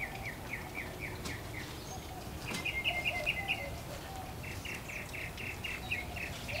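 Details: Back-yard mockingbird song: rapid strings of short, evenly spaced chips, a brighter fast-repeated phrase, then another even run of notes, all against low ambient noise.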